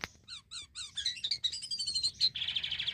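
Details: Black-winged myna singing, used to lure mynas: a string of quick repeated downslurred chirps, about four per second, running into high warbling whistles and a rough buzzy trill.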